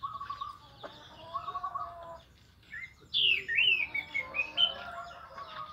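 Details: Orange-headed thrush singing in the morning, meant to prompt other thrushes to sing: varied phrases of sweet whistles, a low run first, then bright high rising and falling notes after a short pause.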